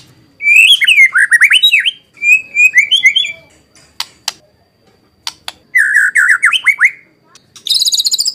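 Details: Caged white-rumped shama, a lure recording meant to make other birds answer and sing. Loud, varied phrases of rapid whistled notes with slurred, bouncing figures, broken by short pauses and sharp clicks, then a fast high buzzy trill at the end.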